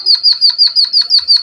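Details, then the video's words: Java sparrow song meant to stimulate and train cage birds: quick, evenly spaced high chirps, roughly six each second, clean and loud with almost no background. "Suara burung pipit bondol haji emprit kaji gacor"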